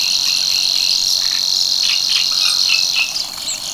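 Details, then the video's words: Savi's warbler, a summer breeder at Tancat de l'Illa, l'Albufera, gives its long strident buzzing reel, even in pitch, while soft scattered chirps of other birds sound underneath. "BUSCARLA UNICOLOR en el Tancat de l'Illa"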